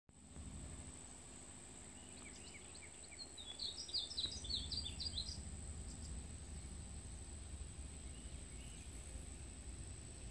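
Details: A male Painted Bunting sings from a tree in Gilbert, South Carolina, giving one quick, high, sweet warble lasting about two seconds. A steady thin insect whine and a low rumble continue throughout.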